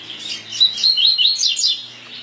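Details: Double-collared seedeater singing the "tui tui" song type: a rapid run of clear whistled notes around high pitch, several rising then falling slurs repeated about every quarter second, ending in quick descending strokes; no other sounds.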